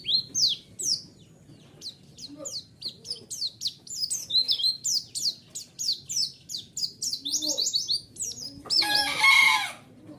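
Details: White-eye song as a lure to elicit replies: sustained, rapid stream of high, thin downslurred notes in irregular rhythm, ending in a brief harsh, noisy burst.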